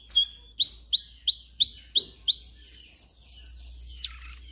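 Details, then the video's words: Canary singing for song training: six clear rising whistled notes about twice a second, then a fast high rolling trill for over a second. "Video for Canary training 25 m. Canary training 0.25 Hour canario canary song"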